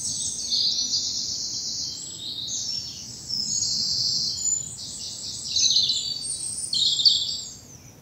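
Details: Spring dawn chorus in a bluebell wood in southern England: dense, high, overlapping twittering and warbling from several birds runs continuously with small swells of loudness, over a faint low background hum.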